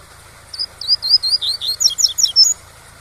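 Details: Tui-tui song of a Double-collared seedeater, meant for training young birds: a rapid run of bright, high, slurred chirps, speeding up toward the end of a two-second phrase, backed by a low hiss of falling water.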